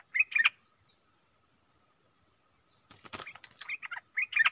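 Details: Caged red-whiskered bulbul in a singing contest with wild birds that come down to fight; bursts of bubbly warbled phrases at the start and end, separated by a quiet stretch and sharp clicking knocks, steady high hum behind.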